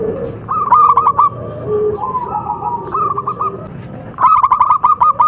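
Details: Javanese local zebra dove of contest standard: a rapid rolling coo phrase, a pause with softer lower notes, another short phrase, then a longer run of quick staccato coos at the end.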